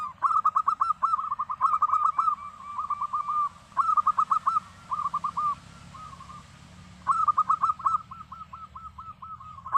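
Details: Zebra dove of local stock (perkutut lokal) singing steady bursts of quick, clipped cooing notes, several groups separated by short quieter gaps, over faint low background noise.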